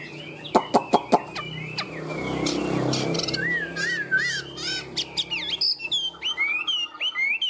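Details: Caged tame Chinese hwamei: sharp clicks and a burst of rustling noise at first, then a series of rich, wavering whistled notes and sliding phrases growing louder toward the end.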